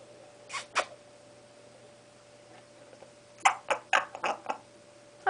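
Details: Baby Congo African grey parrot, five months old and not yet talking, tries out sounds and whistles indoors; two short squawks, a long quiet gap, then a quick burst of five or six chattering notes and a final squawk.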